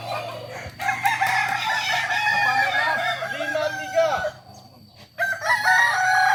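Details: Kukuak balenggek roosters at a practice crowing event in Solok: long, stepped, multi-note crowing with layered harmonics runs nearly four seconds, then breaks off and a further crow starts, over steady low hum and faint voices.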